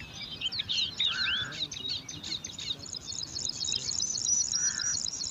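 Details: Begging bar-winged prinia chicks, five young in a nest in alang-alang grass fighting over food, producing busy high-pitched chirping and squeaky trills that build into a steady shrill twitter, with two short lower hums.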